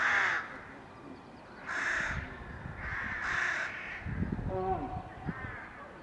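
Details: Crowded crow colony in May 2020, heard while mallard ducks wash: three loud, harsh, rasping caws about every one and a half seconds over a steady background chorus of distant crows, then low thuds near the end.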